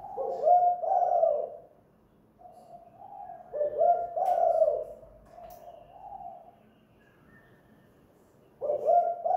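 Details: Spotted dove heard at home, a lure call of the kuk gantung type: deep rolling coo phrases in three bursts separated by pauses of a second or more, with a quieter phrase between, and faint clicks.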